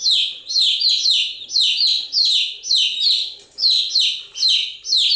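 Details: Domestic chicks peeping without pause, a bright stream of high, sliding-down chirps repeated rapidly and evenly throughout.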